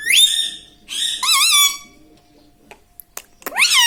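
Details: Pet parrot mimicking human words indoors, such as mummy, papa and radhe radhe; a steady whistled note leads into wavering, nasal syllables, a pause with faint clicks, then a rising squawky word.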